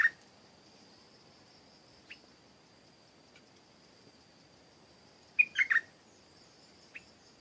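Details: Stripe-throated bulbul giving a brief gurgling phrase of three slurred notes after several seconds of near quiet broken by a few faint single chips, with a steady high thin hiss running throughout.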